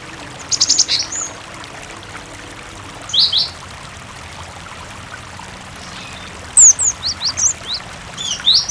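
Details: Cinereous tit singing as a lure for other tits, backed by running water; short bursts of high chirps and falling whistled notes, with a longer lively series near the end, the water noise fairly prominent.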